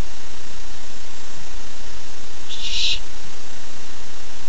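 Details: Barn owl owlet, July 13, 2015, keen for its first treat, lets out a single harsh, hissing screech lasting about half a second amid low steady background hum.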